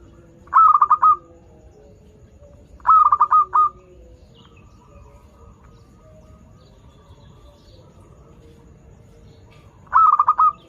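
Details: Local zebra dove with a melodious voice, used as a lure for doves learning to sing; compact bursts of rapid, bubbling coos come every few seconds, separated by long quiet gaps.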